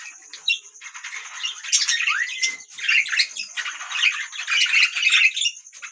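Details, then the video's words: Budgerigars twittering in a continuous scratchy warble, with bright chirps, squawks and one clear rising whistle, the chatter thickening toward the end. "beautiful Budgie parrots sound | beautiful Birds chirping sound"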